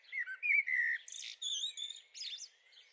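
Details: Young Eurasian blackbird in a garden, 23 May 2013, giving a varied run of whistled, warbling notes with buzzy and chattering phrases mixed in.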